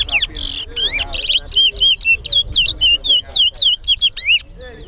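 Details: Competition song of a towa towa at Sheriff Street bird ground in Guyana, a fast chain of bright swooping whistles, each note curling downward, preceded by a few harsh buzzy bursts, with a low murmur of people behind.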